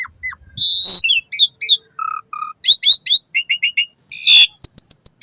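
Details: Asian pied starling singing to stimulate caged birds, morning and evening: harsh squeals, paired low steady whistles, then brisk repeated chirp series and a loud broadband screech before quick high notes.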